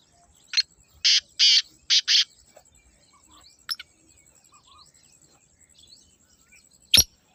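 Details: Scratchy, loud call of a black francolin: five harsh rasping notes, a short lead note, two broad notes, then a quick pair. Later come a few faint chirps and a sharp click.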